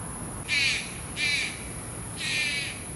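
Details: At night in Taichung, Taiwan, a Malayan Night Heron raising chicks gives three rough, grating calls, two close together and a third after a pause, against a constant hiss. Recorded 30 July 2020.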